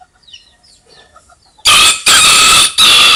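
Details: A rooster crows abruptly in three very loud, rasping, distorted bursts after a quiet opening with faint bird chirps.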